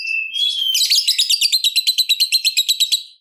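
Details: Lovebird giving a long shrill trill to prompt other lovebirds to sing: a high whistled note leads into fast, even, buzzy pulses, about six per second, for over two seconds.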